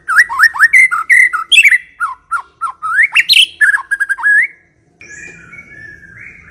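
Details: White-rumped shama song meant to lure other shamas into singing: rapid varied whistles and rising slurred notes, stopping abruptly, followed by a soft high warble.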